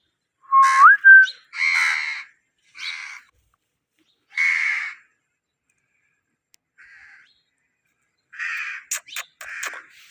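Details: Indian ringneck parakeet kept as a pet, opening with a rising whistled slide, then harsh rasping squawks spaced one to two seconds apart, ending with a burst of quick squawks and sharp clicks.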